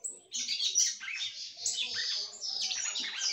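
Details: A female red-cowled cardinal sings steadily to stir up the male. After a thin opening whistle, a continuous run of rapid, high, twittering notes follows with barely a pause.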